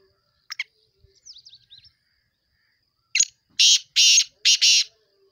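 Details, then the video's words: Black francolin calling: a brief soft twittering at first, then a loud harsh grating call of one short note followed by three long rasping bursts in quick succession. "kala tatter ke awaz"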